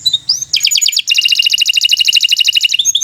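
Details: Canary training song with short slurred notes leading into long rapid trills of bright pulsed notes, the second trill steady and rolling to the end.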